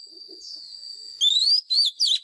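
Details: Lure white-rumped shama sings fighting song used to train caged birds; a long steady high tone gives way to a rising whistled glide and two further swooping notes.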